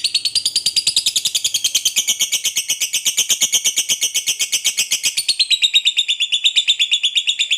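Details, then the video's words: Lovebird of fighter type performing ngekek panjang, a long continuous chattering trill: rapid high squeaky notes pulsing about three per second-fraction without pause for nearly eight seconds, pitch steady then shifting higher near the end; no other sounds. "SUARA BURUNG LOVEBIRD NGEKEK PANJANG NGOTOT TAMPIL FIGHTER"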